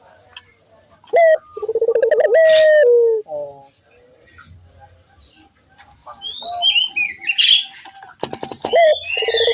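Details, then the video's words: Barbary dove used as a lure to set other doves calling; a few deep harmonic coos and a falling phrase early on, followed by thin high whistles and chirps from other birds over faint background noise. "pancingan burung puter gacor,bikin puter lain ikut bunyi"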